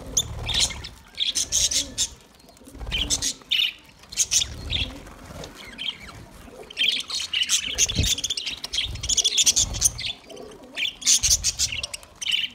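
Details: Budgerigars, parrots, chattering in bursts of bright high chirps and warbles, several overlapping, with short pauses between bursts and low rumbling background noise.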